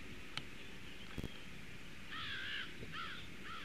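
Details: Pair of crows calling as they fly past a nest toward marshland, watched by a nest camera on 12 November 2017 at 09:25. Two harsh, banded caws late in the recording, the second shorter, after a few sharp knocks and over steady low background rumble.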